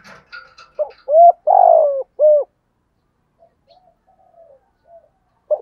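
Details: Spotted dove calling in the giọng thổ voice style, used as a lure to provoke other doves: a few soft lead-in notes, then a clear coo, a long rough rolled coo and a closing coo, followed by faint distant cooing.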